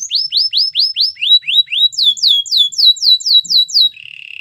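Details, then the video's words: A Belgian canary sings clear upswept whistled notes, repeated about three a second and climbing in pitch partway, finishing on a low rapid trill. "Belgian canary singing"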